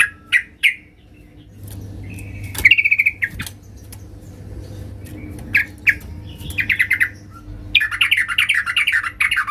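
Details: Female yellow-vented bulbul calling toward a male: sparse short chirps and a brief trill, then livelier chattering phrases toward the end, over a low constant hum.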